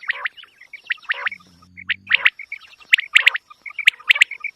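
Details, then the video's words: Quail call for hunting use, with quick clipped chirps in rapid groups, some notes doubled or tripled, and a brief low buzzing hum partway through. "QUAIL SOUND very original sound"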